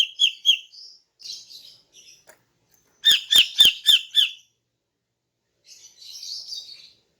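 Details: Morning song of a female greater green leafbird, used to lure males: scattered chirps and warbles, then a fast run of loud, sharp, ringing notes, and finally a buzzy, rasping trill.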